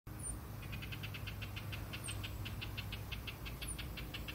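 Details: House wren parents warning an intruder to stay back from hatched chicks about two days old: a rapid run of harsh, scratchy chatter notes, about five per second, over a steady low engine-like hum, with occasional thin high chirps.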